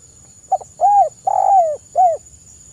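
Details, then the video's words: Lure song of a spotted dove meant to draw other birds into singing: brief double pip, arched coo, long quavering downslurred coo and a closing shorter coo, all mellow and low, faint electrical whine in background. "suara burung TEKUKUR GACOR kuk 1 SUARA KRISTAL lebih ampuh untuk pancingan"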